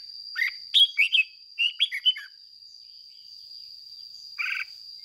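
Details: Caged lure red-whiskered bulbul singing in the 'ché' style, used to rouse wild-caught birds: a quick run of warbled, slurred whistled notes, then one louder burst after a pause, over a steady high whine.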